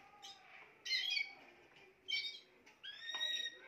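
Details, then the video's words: Spanish timbrado canary with ringing phrases and a closing sustained whistle over a faint, low, steady tone and background hiss. "chant des oiseaux timbrado espagnol"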